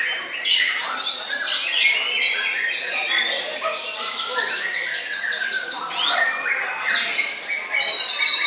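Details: White-rumped shama (murai batu) singing while performing a deep bowing display, with loud, long, clear whistles, some rising then held level, between rapid stuttering chips and dense trills, plus faint voices.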